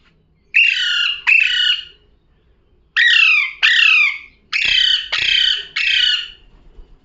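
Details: Parrot calling with loud, harsh, buzzy two-part squawks that fall in pitch. They come in two pairs, then a run of three, over a quiet background.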